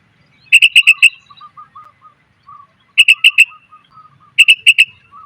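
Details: Female sooty-headed bulbul calling to attract males, used as a lure call: bursts of four or five sharp, bright chirped notes repeated about every two seconds, with soft lower twittering between bursts.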